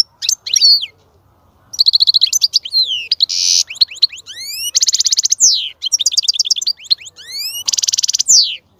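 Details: Mating-stimulation song of a European goldfinch: dense buzzy trills alternate with fast rising whistled slides and rattling bursts, each phrase a second or so long, after a brief opening pause.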